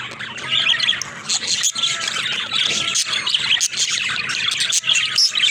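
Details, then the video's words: Several pet budgerigars chatter steadily with high, scratchy warbles and chirps that overlap, broken by a few short pauses. "Funny Talking Budgies"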